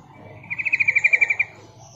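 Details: Female yellow-vented bulbul calling to attract males, a call used to lure wild birds: one fast, even trill of about twelve bright pulsed notes, lasting roughly a second, over a faint low hum.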